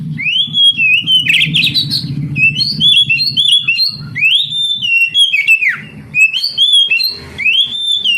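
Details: Oriental magpie-robin song, known as kacer, aimed at getting lazy young canaries singing: looping whistled phrases that swoop up and down, a scratchy buzz early on, and a low hum underneath.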